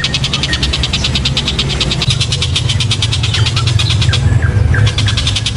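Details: Loud, sharp kingfisher known as tengkek buto, used as training audio to provoke other birds. A steady rapid rattle of high notes, followed by a few short descending chips, runs over strong low rumbling noise.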